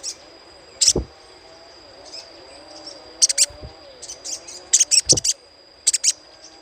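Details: Little spiderhunter chatter for luring birds: sparse clusters of high, clipped chips in groups of two to five, with quiet gaps between them, a faint steady high tone and a couple of soft low thuds.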